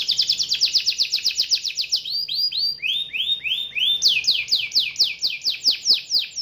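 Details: Young canary in loud rolling 'ngerol' song: a rapid pulsing trill gives way to slower swooping whistles, then another quick series of bright descending notes.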